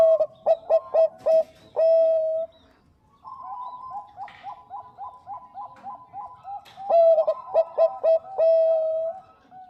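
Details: Zebra dove (Bangkok type), female calling for the male: rapid bursts of clipped coos each ending in a long held note, repeated; a second, softer run of quick pulsing coos in between.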